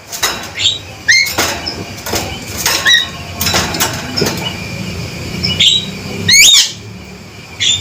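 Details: Male Javan myna repeating loud, sharp, rising squeaky notes, singly and in quick pairs, mixed with clicks and rustling over about eight seconds.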